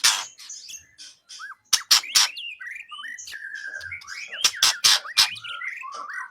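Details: Training recording for songbird contests of White-rumped shama song: fluid looping whistles and slurred notes around 1–3k, with a long steady whistle, interrupted by several loud sharp clicking bursts.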